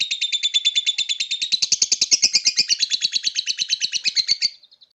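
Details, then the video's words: Palamas blorok lovebird in a sustained ngekek chattering run: dense, rasping, high chirps repeated very quickly and steadily, swelling slightly in the middle, then cutting off abruptly with a few faint notes trailing away. "Lovebird Palamas rasa blorok ngekek trs"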